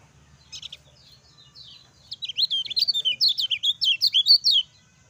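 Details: Lemon-bellied white-eye, gacor bird whose song serves as a master to excite silent white-eyes: a few scattered high chips, then a steady fast run of looping high chirps lasting over two seconds.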